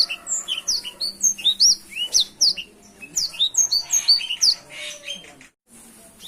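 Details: Black-throated canary singing energetically, a fast stream of high whistled slurs and chirps rising and dropping in quick succession, breaking off briefly near the end before resuming.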